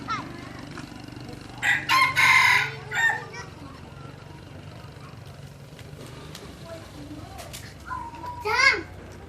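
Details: A crossbred red junglefowl kept as a decoy bird gives a rough, drawn-out crow early on, then a second shorter, strained crow near the end, with quiet background noise and faint human sounds between.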